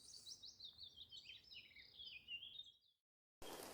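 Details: A Willow Warbler calling in trees at East Dartmoor National Nature Reserve in spring, after the dawn chorus, sings a soft, sweet descending cascade of high notes, then falls silent before a burst of rustling noise.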